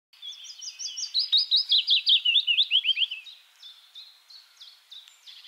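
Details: Willow warbler (Phylloscopus trochilus) singing in the Netherlands: a sweet, liquid phrase of quick notes sliding gently down the scale over about three seconds, followed by softer, scattered notes.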